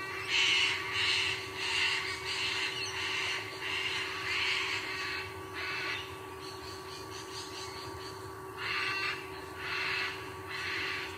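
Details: Male sea eagle at a nest in Sydney, Australia, giving a series of loud, harsh, honking notes in quick succession, about one and a half per second, over a steady electrical hum.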